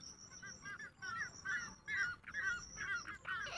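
A jungle bush quail gives a string of short, harsh, mid-pitched notes about twice a second, over a steady high insect-like whine.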